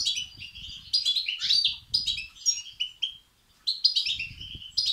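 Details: European goldfinch chicks begging, played to stimulate males; dense, continuous high twittering with brief pauses and a short silent gap near the end.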